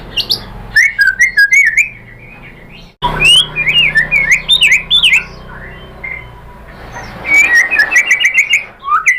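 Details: White-rumped shama (murai batu) song for provoking other shamas into answering with their repertoire: scattered chips, a short break, then a loud tumbling phrase of swooping whistles and later fast chattering notes.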